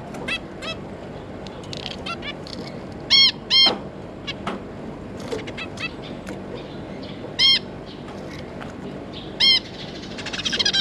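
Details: Zebra finches, a pair with their three juveniles, recorded 9 June 2022: loud nasal, harmonic-rich single calls heard four times at irregular intervals over a faint background hiss, with softer clicks between.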